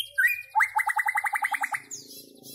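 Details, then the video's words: White-rumped shama producing a short slurred whistle, then a fast even trill of about a dozen ringing notes, ending in a lower buzzy murmur. "Amazing White-rumped Shama Bird Song Singing And Chirping"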